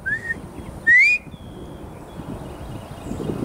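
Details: A male Northern Bobwhite calling loudly from a nearby tree in Texas and answering a person's whistles, possibly as a mating call: a clear whistled bob-WHITE, a softer rising note then a loud, sharply upslurred whistle, over a low background rumble.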